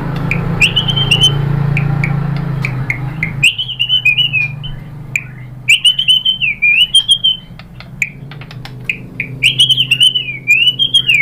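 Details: White-rumped shama (murai batu) song used as a lure to provoke other shamas into answering and showing off their repertoire: clear whistled phrases with wavering slurs and sharp clicks, over a low hum that stops after three seconds.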